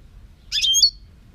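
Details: European goldfinch song from 2018: a brief burst of high, jingling twitter ending in a clear ringing note, under half a second long, over faint low hum.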